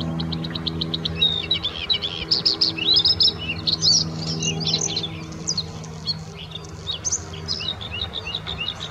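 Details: Bluethroat singing at the Offstein settling ponds: a varied, fast run of high chirps, sharp ticking notes and whistled trills, some phrases repeated in quick series, over a low steady hum.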